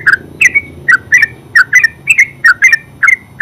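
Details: Terucuk, or yellow-vented bulbul, in full ngeropel song: rich liquid chirps in rapid pairs and triplets, each slurred and warbled, following one another steadily without a break.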